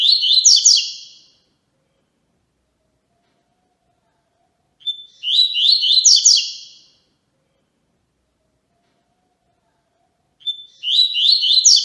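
A yellow-bellied seedeater sings short, bright phrases that start with a thin whistle and break into buzzy notes.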